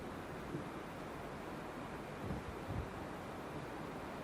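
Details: Steady roaring wind or surf-like noise with a few low thumps of microphone buffeting and no animal voices.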